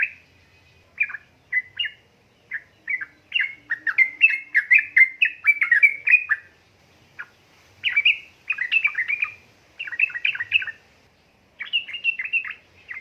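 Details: Yellow-vented bulbul chatter, described as a female calling a male and used as a lure for lazy birds: long bursts of rapid, jumbled, gurgling notes broken by short pauses over several seconds.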